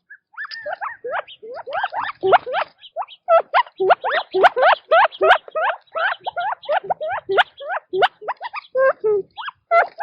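Quail give a busy stream of short, rising and falling chirps, several every second, overlapping as if from a group calling together.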